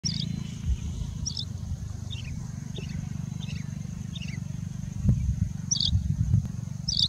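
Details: A singing bushlark in India sings continuously for minutes, giving high, thin chirps in short falling clusters, roughly one each half-second, mimicking birds such as Indian robin, pied bushchat, plain prinia and common woodshrike, over a heavy low rumble of wind.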